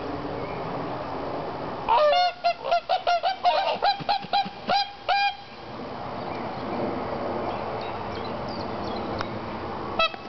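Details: Tundra swans in a nature park give a fast run of about a dozen ringing, nasal honks in quick succession, each short and evenly pitched, before falling quiet. One last faint honk comes near the end over a steady murmuring background.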